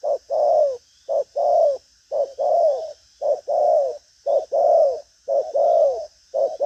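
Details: Strong-cooing spotted dove of đồng pha chân cua type, restless, pushing coos with a trailing tail: clear low coo pairs, short then long and falling, repeated about once a second for the whole stretch, quiet background.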